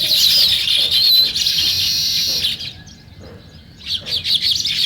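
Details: Steady, intense chorus of high sparrow chirps for two and a half seconds, a quiet pause, then chirping resumes in a morning setting.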